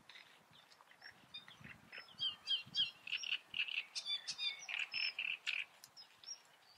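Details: Singing great reed warbler, Eifel region: rasping, croaky syllables repeated rapidly in rising and falling phrases, loud and steady through most of the clip, with low background rustling.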